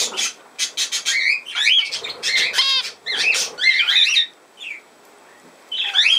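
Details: Budgerigar giving bursts of chattering warble, with quick rising and falling squeaks and harsh buzzy notes, plus a nasal harmonic squawk near the middle, broken by short pauses.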